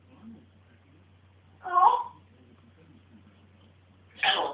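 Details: Pet African grey parrot acting a bit mental: two brief raspy squawks spaced about two and a half seconds apart, separated by near silence and a soft low hum.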